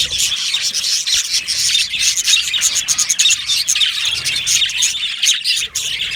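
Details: Aviary colony of yellow male budgies chattering together: busy high twittering and short squeaky notes pour out steadily, with brief sharp clicks scattered through the chorus.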